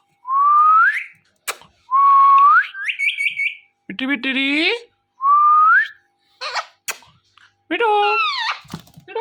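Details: Pet ringneck parrot indoors, watching a phone and talking to it: rising whistled notes, each about a second long, alternate with harsh, raspy speech-like phrases in short bursts, with quiet gaps between them and no other sounds.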